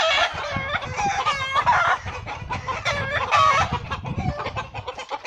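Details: Mother hen fighting off a hawk to protect her chicks, loud continuous raspy cackling and squawking with a clattering scuffle underneath.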